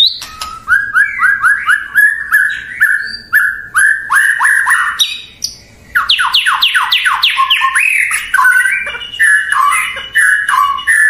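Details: White-rumped shama (murai batu) singing to stir up rival birds: a long varied run of rich whistles and rising slurs, a brief pause, then a fast cascade of steeply falling sweeps followed by mixed warbled phrases.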